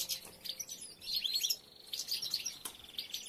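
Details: Goldfinches while females collect nest material and several nests are built; a short burst of high, tinkling chirps and a few clear twittered notes over a quiet background.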